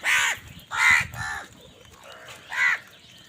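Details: Harsh, nasal crow caws ring out in a quick burst of three, then after a pause a fainter call and one more loud caw, from crows squabbling over food.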